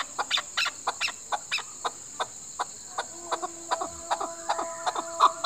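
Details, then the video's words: Chukar, Pakistan's national bird, giving a sparse series of short, sharp clucking notes, some paired, at irregular intervals, under a steady high-pitched whine throughout. "Chakor ki awaz|Chakor sound"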